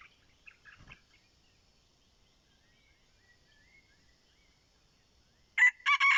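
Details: Decoy red junglefowl used to lure wild junglefowl; after a quiet stretch with faint distant chirps, a loud, harsh crow bursts in at the very end and is cut short.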